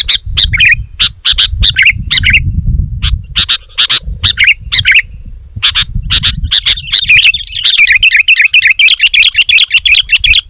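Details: Sooty-headed bulbul singing loudly, meant to draw in wild birds: busy series of sharp chirps and warbled phrases, turning into a continuous chattering run near the end, over low rumbling noise.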